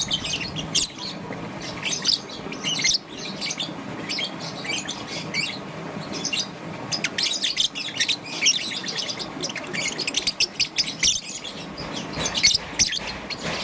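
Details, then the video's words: Young peach-faced lovebird, green and yellow, chirping in the morning: dense runs of sharp, high, scratchy chirps and chatter, irregular and nearly continuous across the clip. "Relaxation of Lovebird's melodious chirping sound - Young Peach Face Lovebird - Green and Yellow"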